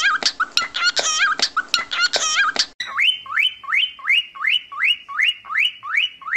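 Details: Whistling pet cockatiel: dense chirps and clicks at first, then a steady series of bright upward-sweeping whistles, roughly two per second.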